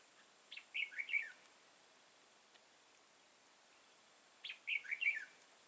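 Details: Red-whiskered bulbul of the dark-bibbed crest type, recorded during trapping on 31 March 2018: two short, bright warbled phrases of rising and falling notes, one at the start and one after a long pause, over a steady faint hum.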